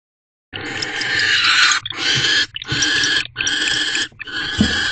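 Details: Barn owls in a nest box on the evening of 17 January 2024 at 8:50 pm, as the male brings the female a rodent and they mate: five long, harsh, hissing screeches, each about a second, with short breaks between.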